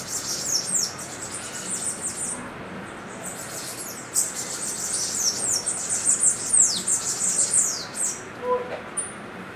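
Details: A Bananaquit in São Paulo, Brazil, dated 09/01/23, gives rapid, thin, high-pitched buzzy ticking and sibilant notes in fast bursts, with a faint hiss of background noise.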